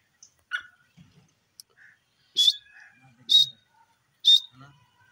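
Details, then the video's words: Grey francolin giving three loud, shrill, high notes spaced close to a second apart, preceded by a few softer scattered notes, in a quiet setting with faint low rustling. "bhura teeter ke voice,dakhni teetar bird sound"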